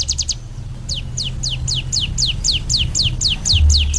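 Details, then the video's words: Ciblek gunung song: a quick burst of high notes, then a short pause, then a string of sharp, downslurred whistles repeated about three times a second. A constant low hum runs underneath. "SUARA BURUNG CIBLEK GUNUNG"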